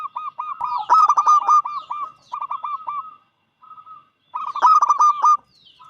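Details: A loud local zebra dove sings to draw other doves into song. Fast runs of short, bright coo notes are packed tightly together, then a pause, then another dense burst of staccato cooing.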